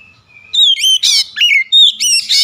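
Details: Oriental magpie-robin song used as a lure to provoke a rival into singing: loud, varied whistled and harsh phrases around 2 to 8k, several short bursts with gaps, clean background.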